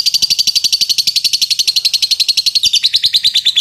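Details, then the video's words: Champion lovebird in latah style: a relentless stream of rapid shrill chirps, evenly pulsed, holding high then dropping slightly lower near the end. "Lovebird latah juara"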